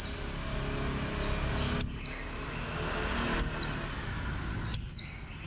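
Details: Warbling white-eye giving three sharp, high chips that glide down, spaced about one and a half seconds apart, over a continuous low hum.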